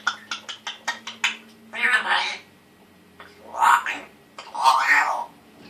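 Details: Male African grey parrot kept as a pet, one year old, saying his first words in a scratchy voice; a quick string of popping raspberry pulses followed by three rough, speech-like phrases, with a faint low room hum.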